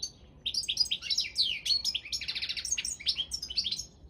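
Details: Competition goldfinch, subspecies balcanica, singing a rapid unbroken run of sweet twittered notes mixed with slurred downward whistles and short dry rattles.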